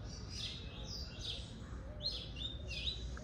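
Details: Caged Double-collared Seedeater (coleiro), kept at home by a breeder, singing short bursts of high, sweet chirped and slurred notes, four quick phrases in about three seconds, over steady low rumbling background noise.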